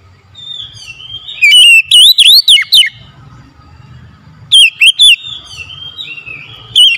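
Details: Oriental magpie-robin chattering ocehan in the morning: a soft descending whistle leads into a loud run of curling whistled notes, then a second shorter burst several seconds later.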